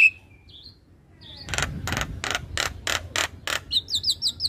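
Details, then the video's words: Male Javan myna in full, lively song: a short whistle and faint slurred notes, then about eight evenly spaced harsh rasping bursts, ending in quick twisting whistled phrases. "Masteran Jalak Kebo terpopuler - Jalak Kebo Jantan Super Gacor Manggut2"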